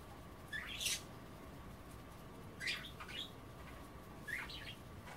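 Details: Pet budgerigars pecking at kale and water during bath time indoors give three brief scratchy, rising chirps, each a couple of seconds apart, over a low room hum.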